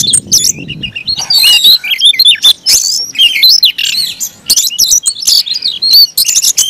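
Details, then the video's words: Oriental magpie-robin singing hard in an aggressive fighting mood: dense, loud stream of high whistles, twisting slurred notes and scratchy chirps, nearly continuous, with a low rumble at the start. "kacer gacor tarung ngotot agresivitas"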